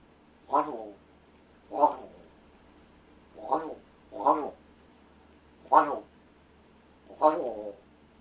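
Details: Six short, rough caws from a rescued large-billed crow doing voice practice indoors, delivered at uneven intervals of about one to two seconds, with quiet room tone.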